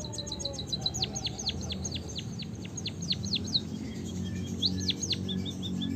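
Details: White-headed munia singing vigorously, its song filled with canary-like phrases: a fast run of sharp high whistled notes that slur steeply downward, repeated several times a second. A pause follows, then a brief second burst over a low background hum.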